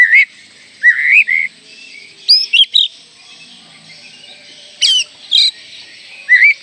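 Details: Oriental magpie-robin song played to stir young birds into singing and to rouse rivals: short clear whistled phrases, some upslurred, others sharp and high, coming in bursts with brief pauses.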